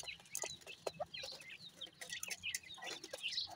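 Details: Young grey francolin (desi teetar) chicks give short, thin, high peeps at irregular intervals, scattered among clicks, tapping and rustling noise.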